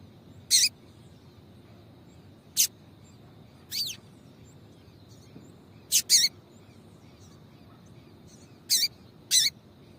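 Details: Female yellow-bellied seedeater (papa-capim) calling to excite males into singing for song tournaments; sharp, high chip notes given singly or in quick pairs at irregular gaps, seven calls in all, over a quiet background with a faint steady high hum.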